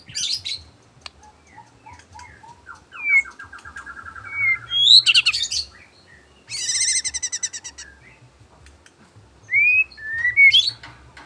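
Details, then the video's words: Afternoon song of a white-rumped shama, with soft rising whistles, a fast stuttering series of notes, a burst of dense high twittering, then two bright upslurred whistles after a pause. "merdunya suara burung muray di sore hari"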